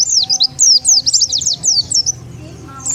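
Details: Brief burst of Oriental white-eye chirps, meant to attract wild birds: thin, sharply slurred high notes in a quick string, fading near the end.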